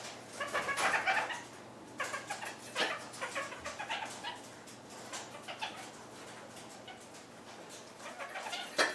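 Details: A broody red-fronted parakeet hen in captivity treats the area beneath her feeding dish as a nest site; a burst of raspy, buzzy chattering near the start, then scattered scratches, taps and softer chatter notes.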